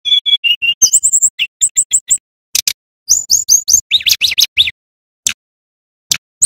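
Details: Lively male brown-chested jungle flycatcher from Bali, sung for luring and teaching young birds: paired level whistles, bright chippy phrases repeated quickly, dense clusters of high notes, then scattered single clicks.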